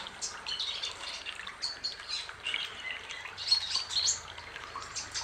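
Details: A male white-bellied sunbird (Cinnyris talatala) sings a fast, high, twittering jumble of thin chirps and trills, with no pauses across the whole stretch.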